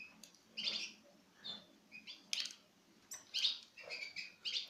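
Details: Citril finches, pairs from 2016 feeding from a person's hand, give high chirps and short tweets in loose irregular bursts, roughly one per second, with clicks and handling sounds between them.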